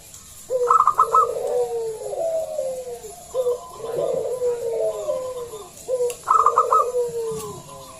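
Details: Loud local zebra dove used as a lure to get other doves singing: three phrases, each a quick cluster of staccato notes followed by rolling, falling coos, repeated about every three seconds.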